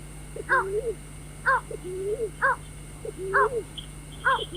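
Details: White-breasted waterhen calls used as a lure for night bird trapping: a harsh, stacked double note repeated about once a second, each followed by a lower rising, drawn-out note, over a steady electronic hum.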